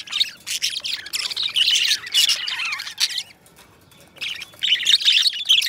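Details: Budgerigar song from a pair of pet budgies: continuous scratchy, squawking warble high in pitch with rapid chirps for about three seconds, a short lull, then the chattering resumes.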